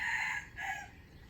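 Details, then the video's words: Fragment of a wild chicken's crow, from a bird used for trapping wild fowl, 05/07/2025: a sustained harsh note breaking into a shorter second part, then fading into background hiss. "Trap wild chicken with standard crowing voice"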